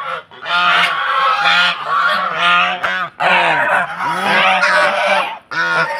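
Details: Several domestic geese from Netrokona, kept at a home in Tangail, Bangladesh, during their egg-laying time, honking loudly as they do at strangers. Harsh, nasal, harmonic honks come in rapid overlapping bursts with brief pauses, nearly continuous across the recording.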